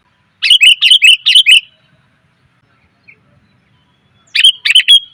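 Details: Female sooty-headed bulbul calling to attract males: two bursts of about five quick, bright chirps each, separated by nearly three seconds of silence.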